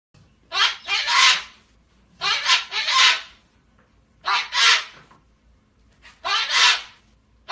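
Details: A female cockatoo yells after her owner leaves the room, calling for him to come back. She gives loud, harsh, raspy screams in bursts of two or three, repeating roughly every two seconds in a quiet indoor room.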